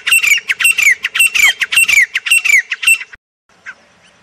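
A grey francolin gives loud, harsh, high notes in a quick run, about four or five per second for three seconds, then stops. A faint later note follows.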